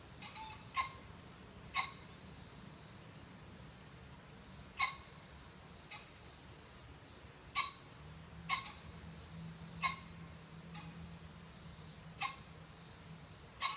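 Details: Green pheasants on a November morning in Hidaka City, Saitama, Japan, giving short, sharp, ringing notes at irregular intervals, about eight in fourteen seconds, over a low steady rumble.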